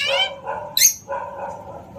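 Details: Pet Alexandrine parakeet calling playfully: a harsh, harmonic-rich squawk, a short noisy high screech, then a longer nasal call that fades out.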